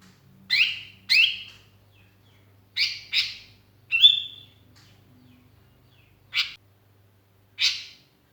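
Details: Sooty-headed bulbul calling to companions as a lure; scattered harsh chirps, some ending in a short rising whistle, paired early on then spaced out with long gaps, over a faint steady hum.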